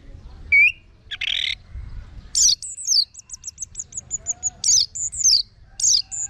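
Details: Orange-headed thrush song, used as a vocal tutor and lure recording: a rising whistled note, a buzzy burst, then high sweeping whistled phrases and a run of quick repeated clipped notes, with loud buzzy slurs between them.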